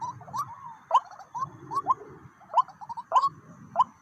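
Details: White-breasted waterhen drawn to a decoy, two birds arriving: quick upward-sweeping call notes in an irregular series, some louder and emphatic, over low rumble and faint clicks.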